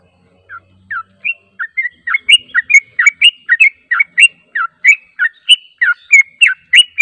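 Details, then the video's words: Yellow-vented bulbul song used as a lure to make birds respond: a fast series of short, bright chirping notes, rising and falling, repeated about once a second and steadily throughout, with faint low rumbling at the start. "PANCINGAN TRUCUK JANGAN Di Ragukan Langsung Nyaut"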